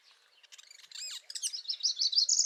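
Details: Northern parula singing in spring: a series of high, buzzy notes that climbs steadily in pitch and grows louder toward the end, after softer mixed chirps from other birds at the start.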